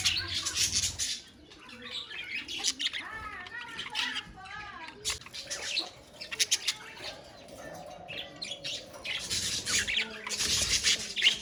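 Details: Budgerigars calling together in a colony: overlapping warbled, wavering chirps and scratchy notes rising and falling, with louder bursts of dense chatter near the start and again toward the end.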